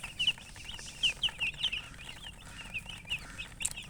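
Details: Young chicks chirping; sharp, high, slurred peeps in loose bursts, some louder notes standing out against a faint low hum.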